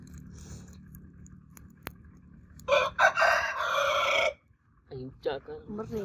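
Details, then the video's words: Rooster crowing at a crowing competition: a loud, harsh, drawn-out crow of about one and a half seconds with a rich harmonic tone, followed by several short, abrupt clucks. "Roosters Crowing Competition 2022 Roosters Crowing Sound Effect"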